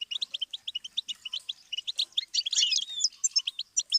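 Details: Goldfinch song on a learning tape for songbirds: a steady patter of sharp, high chirps about four per second, rising into a tangled, buzzy twitter with whistled slurs, then clipped notes again.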